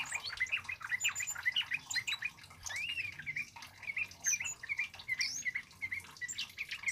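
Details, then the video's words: Loud, lively song of a male Scarlet-headed Flowerpecker, recorded as a tutor and lure for birds: quick high, sweet chips and curling slurred notes run in a busy stream, briefly dipping near three and a half seconds. "SUARA BURUNG KEMADE CABE CABEAN BUNGA API GACOR LANTANG"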